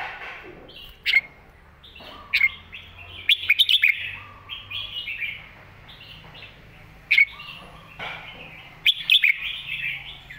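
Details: Red-whiskered bulbul master song for training young birds. Sharp single notes ring out every second or so amid quieter chattering warbles, with two clusters of rapid, clear accented notes.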